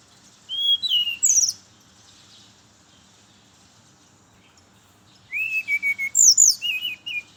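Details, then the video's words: Brown-chested jungle flycatcher in the morning, its song meant to draw in other birds of the same kind: two bright phrases of whistled, slurred notes rising and falling, the second longer and more varied, separated by about four seconds of quiet. "Suara merdu burung SRDC (sikatan rimba dada coklat) di pagi hari, pancingan buat srdc lain"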